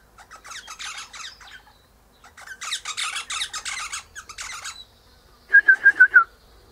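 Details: Eastern Rosella perched high in a hedge on a sunny morning, its mate in a nearby pecan tree, giving two long bursts of rapid, scratchy chattering, then five quick, clear whistled notes in a row.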